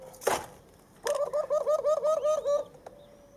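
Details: Young white doves on day 23, one on a perch and one learning to peck. After a sharp knock, a quavering wavering whistle rises and falls in about ten quick pulses over one and a half seconds.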